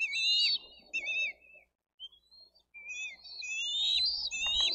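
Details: Bald eagle eaglets at a nest in Dade County, screaming and fighting over a fish their parent brought on 22 May 2023; high, thin, wavering squeals in bursts, a short pause near the middle, then louder overlapping screams.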